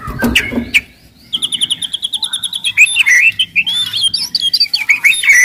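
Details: Aggressive white-rumped shama singing loudly as a lure for other shamas; steady series of high, even chips repeated quickly, then lively varied warbled whistles and twisting phrases.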